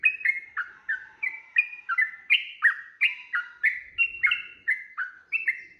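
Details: Sooty-headed bulbul's energetic 'ropel' lure song to provoke a rival: quick repeated chirps with a sharp drop in each note, about three per second, varied slightly in pitch from phrase to phrase.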